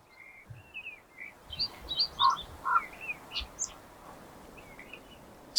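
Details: Eurasian skylark on a hill walk in Highland Perthshire, Scotland, singing continuously without stopping for breath: a high, chirruping warble of quick, varied notes with a few lower, fuller notes and light outdoor background noise.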